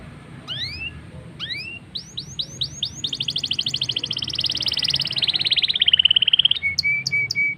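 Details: Black-throated canary song used to get canaries singing: rising whistled upslurs, then a fast buzzy trill that speeds into a dense rattle, ending in clipped high notes.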